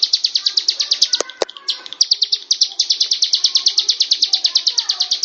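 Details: Bar-winged prinia singing, a recording offered as a master song for training birds: a fast, steady series of high, sharp chirped notes, about three per second, running throughout, with a brief lower, scratchy interruption near one second.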